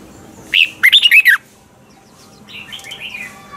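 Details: Caged red-whiskered bulbul giving a training song in double-note style; one loud burst of five warbled notes, then softer trailing twitters in the background.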